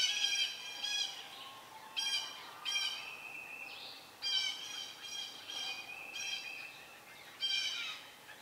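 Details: At a nest of young Red-shouldered Hawks close to fledging, an adult Southern Red-shouldered Hawk arrives with a snake; repeated harsh, buzzy, harmonic squeals in quick bursts, some clipped short, with a faint rising sweep midway.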